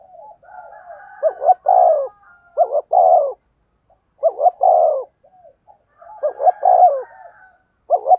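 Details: Spotted dove used as a decoy, giving rapid local-style coos: short doubled notes leading into a fuller rolled coo, phrases repeated a few times with faint higher overtones.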